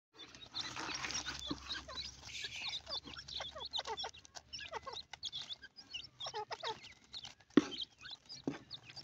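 Partridge chicks give a busy stream of short, high cheeping notes in quick irregular bursts, with a few louder clicks and knocks in the background.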